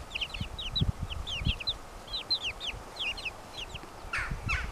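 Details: A flock of 26-day-old Brahma chicks giving quick, high, descending peeps in overlapping series, several per second, over soft low rustling and light knocks.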